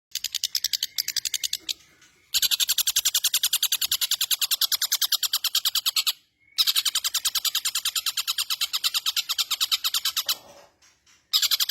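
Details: Long-tailed shrike singing actively with a rich repertoire (isian mewah); long trains of rapid, sharp, high-pitched ticking notes in fast bursts, each run broken by brief silences, no other sounds.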